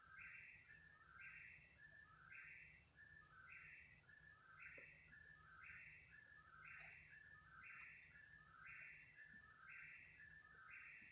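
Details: Nighttime calling by an unknown bird at 3 in the morning, lasting about thirty minutes; a regular chain of whistled three-note phrases, each about a second long, with faint clicks and low hum behind.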